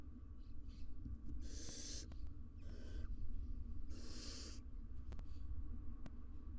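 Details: Barn owls, a wild pair with three nestlings resting in their nest box, filmed by live camera: three rasping hisses, the first and last longer, separated by short pauses above a constant low rumble.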